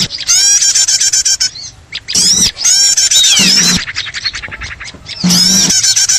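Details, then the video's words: Trapping lure of small birds: loud bursts of packed twittering, buzzy trills and curved whistled notes, interrupted by brief quieter gaps before the chattering surges again. "suara ribut pikat burcil"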